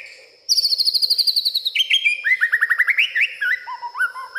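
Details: White-rumped shama agitated at night, singing its learned repertoire: a fast high trill stepping down in pitch, then a run of lower swooping slurred whistles descending further, ending in mid-pitched upward flicks.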